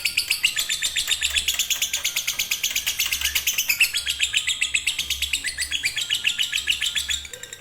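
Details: Lovebird performing fighter or konslet song, used to stimulate lazy birds: very rapid, dense high chatter of about four chirps per second, sustained and buzzy, easing off near the end.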